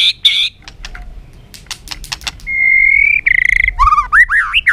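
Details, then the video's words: White-rumped shama in training song with many forest voices, sung to stimulate singing: sharp clicks and short bursts, then a long steady whistle, a buzzy note, and rising warbled phrases at the end. "luyện chòe lửa hót nhiều giọng rừng hay kích chòe lửa hót"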